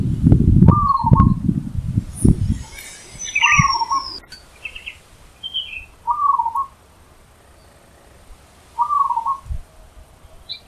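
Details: Loud song of a zebra dove in the wild: a short, trilled, warbling coo repeated four times at roughly three-second intervals. Heavy low rumbling noise fills the first two seconds, and faint chirps from other birds sound above.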